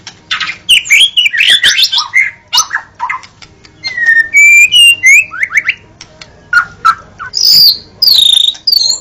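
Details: Singing White-rumped shama: bursts of rapid chips, clear level whistles and rising slurs, ending with high ringing phrases separated by short pauses.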